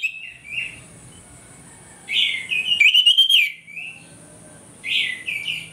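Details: Orange-headed thrush in full morning song, played as a lure to provoke aggression: short whistled phrases separated by pauses, one burst of rapid rich trilled notes in the middle, a steady high hiss underneath.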